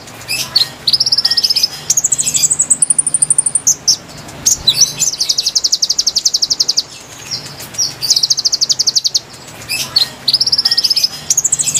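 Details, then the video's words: Lively, melodious konin song used to lure wild birds: long, varied phrases of very high, rapid trills that shift pitch between sections, with thin whistled notes and short breaks between the bursts. "MASTERAN GACOR PIKAT KONIN KONIN LIAR | KICAU MERDU ASLI SUARA BURUNG"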